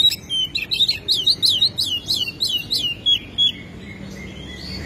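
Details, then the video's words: Oriental magpie-robin, a kept songbird, singing a run of loud, clear whistled notes, each sweeping up and down, repeated quickly for about three and a half seconds, then a single long rising whistle after a pause. "KACER SUPER GACOR BUKA EKOR BONGKAR ISIAN"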